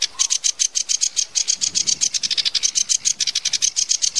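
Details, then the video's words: Rapid-fire sedge warbler song: sharp, high notes pulsing roughly ten times a second in a tight, even rattle with a few quicker stretches. "kicau tembakan variasi sedge warbler"kerakbasi alis hitam""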